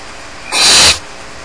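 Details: A single harsh, breathy snoring hiss lasting under half a second from barn owl chicks begging while alone in the nest at Starr Ranch.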